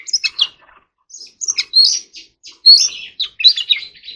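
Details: Oriental magpie-robin trained to sing in forest-voice style: scattered high chirps and twittered notes at first, then denser bright warbling phrases with a loud whistled note midway.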